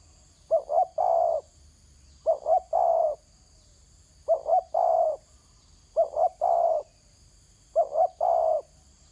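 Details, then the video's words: Five regular phrases from a spotted dove on the ground: a quick two-note coo, then a longer hoarse coo, repeating about every two seconds against a thin high insect hum. "Terkukur kg bunyi atas tanah"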